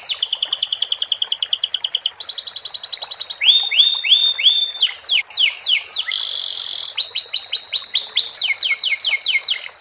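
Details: Canary song filled with the tutored song of the sikatan londo, delivered as a varied run of high, rapid trills, then swooping downslurred whistled notes, a buzzy burst and fast repeated rising phrases.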